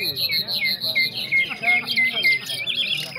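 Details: Competition nightingale in Afghanistan delivering short, high whistled notes in quick bursts, roughly three per second, with clipped downward slurs, against a steady background hum of people talking.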